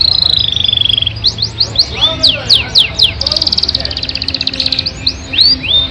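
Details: Yorkshire canary singing long, richly filled phrases: an opening held whistle, spaced descending notes, a fast buzzy trill, and closing rising slurs.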